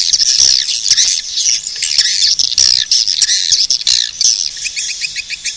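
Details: Swiftlets giving loud, shrill, squealing twitters in bursts, closing with a short series of rapid clicking chirps.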